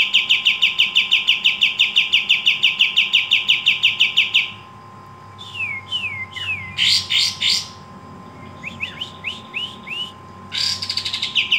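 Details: Pied triller (kapas tembak) in full song: a rapid, evenly repeated chattering series of bright notes, then sparse descending slurred whistles and short harsh bursts.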